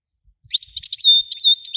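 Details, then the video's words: European goldfinch, Widani type, known for a powerful voice. A brief rapid twittering phrase of bright chirps ends in a thin sustained whistle, with a few more chirps after it. "حسون ويداني حصري صوت مزلزل"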